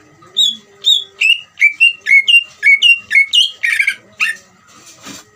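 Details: Greater green leafbird (cucak ijo) singing a trilling song meant to stir other leafbirds into singing: clear whistled notes, each slurring downward, repeated about twice a second, ending in a harsher buzzy trill and a rasp.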